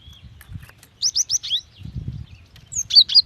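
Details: Calling female cinereous tit summoning a male: a fast string of five bright, high, slurred chirps, then after a pause a short cluster of piercing, very high notes, with low rumbling noise between.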